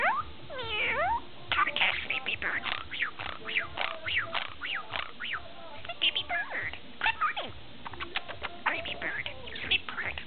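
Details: Ten-month-old pet budgerigar chattering: a fast, continuous stream of warbled rising and falling notes, squeaks and clicks, with quick pitch sweeps and short pauses throughout.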